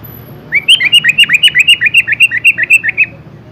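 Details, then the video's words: Prolific sooty-headed bulbul showing off its varied song fills: a fast run of around twenty bright, slurred whistles, many dipping then rising, tumbling out steadily for nearly three seconds. "KUTILANG GACOR BONGKAR ISIAN"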